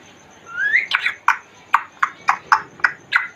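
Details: African grey parrot, the Congo grey, kept in a cage, vocalising: a rising whistle, then a run of short, sharp clicking syllables spaced about a quarter second apart.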